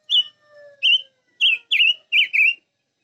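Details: Chim ngũ sắc, a five-coloured bird, sings clear, wavering whistles in quick bursts, five or six notes in under three seconds, with a soft, low, drawn-out whistle under the opening phrases.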